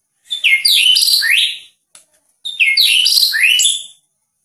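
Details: White-rumped shama from Medan, a prized competition songbird, sings two loud rich phrases of varied whistles, sweeping slurred notes and high trills, separated by a brief pause; clean recording with no other sounds.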